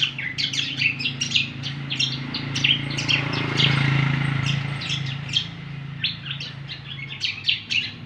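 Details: Greater green leafbird (cucak kombo) in busy song: many quick, sharp, high chirps tumbling together, with a louder broad rush of noise midway and a low hum throughout.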